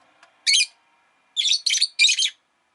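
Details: Shrill, grating chirps from a pet rosy-faced lovebird: one isolated harsh note, a pause, then three rapid loud rasping calls close together, with a faint low hum in the background.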